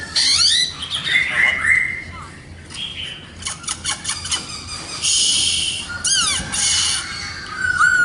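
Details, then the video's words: Black-throated laughingthrush in full song, alternating sweeping whistles with dense harsh chattering bursts and brief downslurred notes, loud throughout with a few quieter gaps. "tiếng chim khướu mun hót đỉnh cao"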